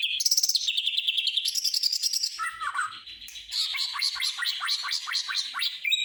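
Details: Greater green leafbird in rich mimicking song: rapid high trills, a rattling sewing-machine-like stretch, then quick repeated chirped notes, continuous and loud.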